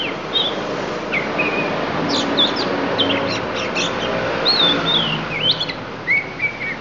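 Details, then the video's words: Oriental magpie-robin of Lampung, Indonesia, giving isian phrases: rapid sharp chips bunched together, followed by wavy sliding whistles and a drawn-out falling note, partly masked by loud steady background noise. "Kacer Lampung Keluarkan Isian"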